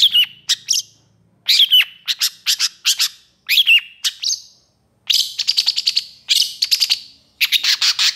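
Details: Pentet or cendet, the Long-tailed shrike, singing gacor with long emotional bursts, recorded for mastering: clean, loud phrases of slurred whistles and scratchy notes separated by short silences, including a fast rattling trill of repeated notes.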